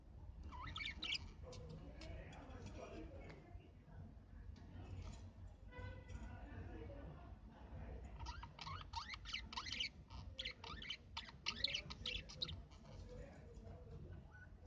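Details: Budgerigars chattering: dense, fast, scratchy warbling and chirps in bursts, quieter at first and busier later, over a low background rumble.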